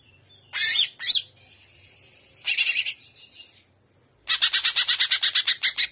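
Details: Trotolan-style song of a Greater green leafbird, gaya udang: harsh high chattering bursts and a thin sustained whistle, ending in a rapid run of about a dozen rasping repeated notes.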